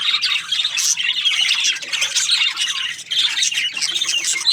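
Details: Breeding pairs of budgerigars in a steady, dense chorus of high scratchy chirps, warbles and squawks, overlapping continuously with short dips in loudness.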